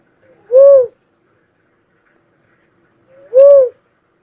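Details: Cuckoo-dove, known locally as uncal, giving two clear, mellow whistled notes about three seconds apart; each note is short, rises slightly and then falls, with silence between the notes.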